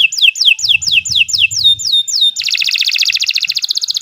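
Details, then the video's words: Domestic canary song, kept for training other birds: a run of loud descending whistled notes repeated about four times per second, then a fast buzzy trill of rapid high pulses. "Kicau Burung Kenari 103 II GACOR PANJANG Cocok untuk Masteran"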